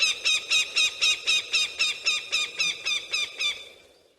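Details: Falcon or eagle calls intended to frighten pigeons and other birds harmlessly: a regular, rapid sequence of strident, grating notes, close to four per second, ending in a gradual fade.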